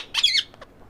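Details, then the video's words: Green ring-necked parakeet from a breeder pair giving one short harsh, raspy squawk, followed by a couple of faint clicks. "Green ring neck parrot"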